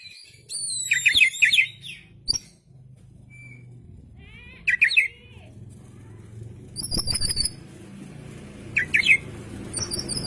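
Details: Oriental magpie-robin (kacer) singing to call others, tail spread: scattered bursts of rising chirps and high squeaky notes over a low hum and background noise.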